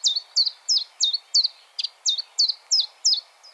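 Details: Chiffchaff song in close-up: a steady series of bright, clipped notes, each dropping sharply in pitch, delivered roughly three per second with even, loud strokes and a faint final note.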